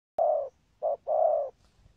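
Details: Spotted dove described as having a full song pattern, good rước and thúc gù cooing: three deep, hollow coo notes, a long one, a short one, then a long one, after a sharp click at the start.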